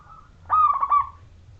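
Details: Single short phrase of zebra dove song, a mellow trilled coo lasting about half a second, clear voice used as a lure to get other zebra doves singing; low background hum.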